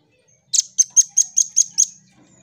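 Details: Velvet-fronted nuthatch in lively song, a tutor recording for cage birds: a quick run of seven sharp, very high chipping notes, evenly spaced over about a second and a half, with otherwise quiet surroundings.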